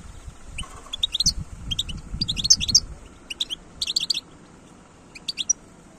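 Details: European goldfinch from the wild, 2022, delivering several short bursts of sparkling, chattering high notes, the last phrases sparser, with light low noise behind.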